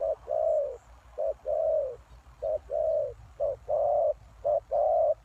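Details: Spotted dove lure call for wild doves: five steady pairs of soft, low coos, each a clipped note then a sustained one, repeating roughly once a second.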